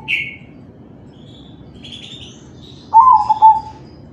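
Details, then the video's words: Crossbred zebra dove of the kalung tempuk type, recorded to stimulate other doves to sing: one sharp higher note at the start, quiet high twitters from other birds, then a single loud low pulsed coo near the end. "Suara perkutut crossing manggung"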